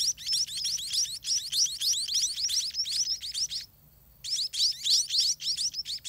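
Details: Hungry scaly-breasted munia chicks at a dirty nest, fed all day by their parents, give rapid high, rising begging chirps, several per second in dense bursts, broken by one brief silence.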